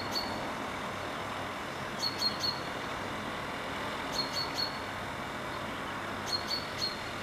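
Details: A juvenile common chaffinch calling in a tree gives quick sets of three short, high, sharp notes, repeated about every two seconds over a steady low hum of distant traffic.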